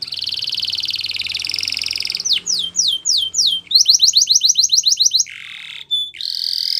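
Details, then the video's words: Spanish Timbrado canary singing a training song: a sustained rattling trill, then rapid series of downslurred notes and fast repeated phrases, a brief steady whistle and a closing buzzy roll, all high-pitched. "Canary Training Song | Canary Spanish Timbrado"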